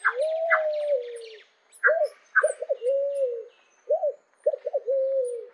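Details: Pale-vented pigeon singing low, hollow cooing phrases: a long drawn coo, then a single hooked note and a short-short-long pattern repeated twice, with brief higher chirps from another bird between phrases.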